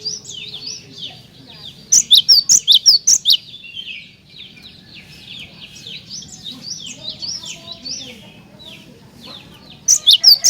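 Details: Cinereous tit in energetic song, played to draw song from other tits. A short volley of bright, high, repeated notes rings out early, busy soft twittering fills the middle, and a fresh volley begins at the end.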